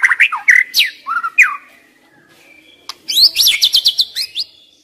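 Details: White-rumped shama singing as a lure for young wild birds: slurred downward whistles and short rising notes, a quiet gap, then a fast series of sharp high repeated whistled notes.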